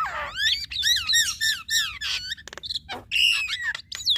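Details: Javan myna duet, male and female, full of loud looping whistles that rise and fall, interspersed with clicks and a short high steady whistle.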